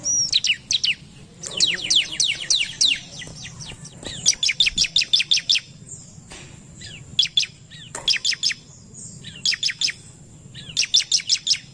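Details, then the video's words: Agitated bar-winged prinia singing back at a lure recording: repeated bursts of rapid, sharp downslurred chirps, several in each burst, separated by short pauses over nearly twelve seconds. "Ciblek Gacor Narung Pancingan Ciblek Cepat Emosi"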